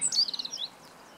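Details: Meadow bunting song recorded 20 March 2015, a brief loud burst of high chirped notes that opens strongly, runs for under a second, then gives way to quiet.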